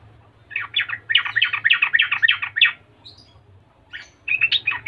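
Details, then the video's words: Yellow-vented bulbul in full lively song, meant to draw other bulbuls into replying. A rapid tumbling series of rich gurgling notes pauses briefly, then resumes with another quick bubbly phrase. "Suara trucukan Gacor Latah ini Paling PANDAI memancing trucukan Lain Jadi Nyaut dan Gacor"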